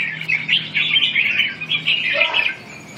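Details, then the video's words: Red-whiskered bulbul gives clear, loud warbling phrases in short bursts with brief gaps, sweet notes that slide up and down, over a faint low hum. "Kênh về chim Chào mào"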